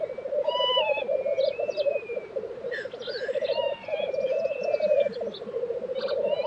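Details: Black grouse at their April 2023 lek in Tiveden, Sweden: a dense pulsing bubbling chorus with a brief dip midway, overlaid by thin whistles, rising slurs and a few hissy bursts.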